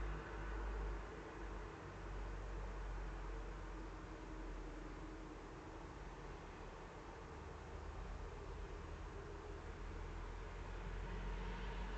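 Steady low rumble of wind or distant traffic noise, with no animal calls to be heard.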